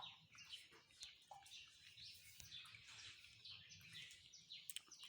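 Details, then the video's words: A chorus of birds in the morning, thin high chirping and twittering phrases tumbling over one another about twice a second, with light low background noise. "Birds are singing in Morning."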